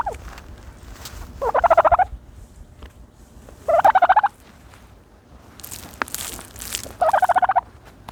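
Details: While bathing in dirt, a turkey utters three rattling gobbles of fast pulsed notes every couple of seconds, mixed with scratchy rustling and a burst of hissing dirt noise.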